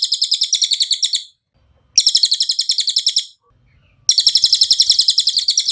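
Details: Cililin song for training caged birds: three separate phrases of piercing, fast, evenly pulsed high trilling, each lasting one to two seconds, divided by short silent gaps.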